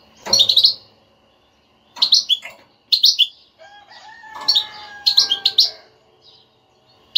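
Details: European goldfinch twittering (batbata) played to motivate a silent caged goldfinch to sing: bright buzzy chirp clusters in four bursts about a second apart, plus a separate pair of steady whistled tones in the middle.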